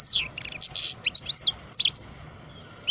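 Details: Twelve-year-old European goldfinch of the parva subspecies singing: a quick run of high, twittering, buzzy notes and liquid tinkling trills, with a short gap before a final chirp.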